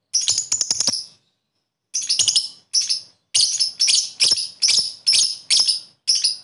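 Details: Lovebird call meant to prompt sluggish lovebirds to sing: a quick burst of high chirps, then a pause, then short harsh chattering bursts repeated about every half second, all very high-pitched.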